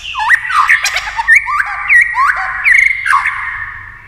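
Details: White-rumped shama singing in competition: a run of lower, mellow slurred whistles that hook up and down, repeated about every half second over a steady whistled tone, with clicks between.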